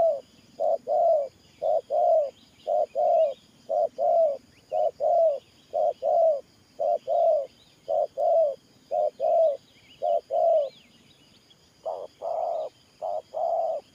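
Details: Cooing spotted dove used as a trapping decoy, 'Thổ Pha Nước Gù' cooing style; steady short-long paired coos, soft and low, recurring roughly every second for fourteen seconds, with faint distant bird chatter.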